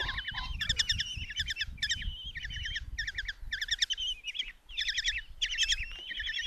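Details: Five common kestrel nestlings in a nest box at Tiszalök, Hungary, June 27, 2024, being fed a mouse by their mother: bursts of rapid, ticking, trilled chatter and thin wavering squeals, pulsing in short runs about every half second, low background rumble.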